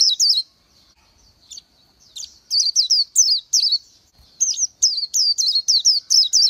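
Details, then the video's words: Scattered high chirps from an Oriental white-eye build into quick runs of sweet, down-slurred notes, about four per second, separated by short silences. "Chim hót hay Vành Khuyên họng vàng đông dương | นกแว่นตาขาวสีทอง| Oriental White-eye"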